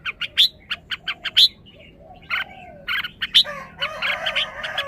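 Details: Red-whiskered bulbul giving several sharp chirps, then a pause, followed by harsher, rasping warbled notes toward the end.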